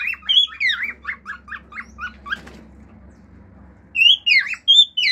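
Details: Male cockatiel at home singing natural calls and clicks: a fast series of short repeated chirps, a quiet pause, then loud swooping whistles.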